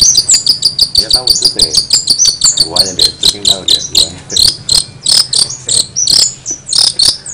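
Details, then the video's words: Long-tailed shrike with an unusual voice: dense high chirps and trills in quick succession, some notes slurred, with faint lower warbling beneath. "cendet gacor suara aneh"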